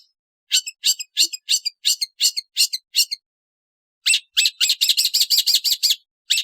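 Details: Rasping, squawky notes of a long-tailed shrike, evenly spaced in a run of about nine, then a pause and a quicker, denser burst of harsh calls.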